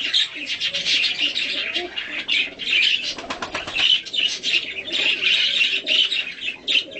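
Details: Hand-tame budgerigar mutation during feeding, with play and cuddling; long stretch of energetic, scratchy warbling chatter, uneven in loudness, with bursts of rapid ticking notes packed closely together.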